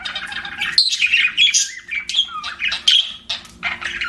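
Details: Budgerigar warbling with sweeping whistled notes that rise and fall, mixed with sharp clicks and raspy chirps, broken by short silences between bursts.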